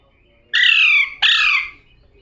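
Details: Two long, loud, grating squawks in quick succession from a talking parrot, each slowly falling in pitch.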